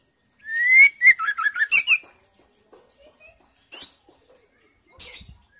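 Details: Female white-rumped shama in full voice, whose song is used to stimulate silent males to sing: a sharp rising whistle opens a quick run of about eight chattering, warbled notes, followed by scattered faint clicks and chips.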